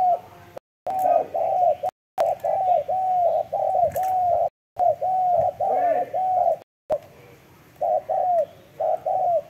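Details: Spotted dove cooing in long runs of low, hooting notes, many ending in a downward slide, broken by several abrupt silent cuts, with a faint human voice in the background.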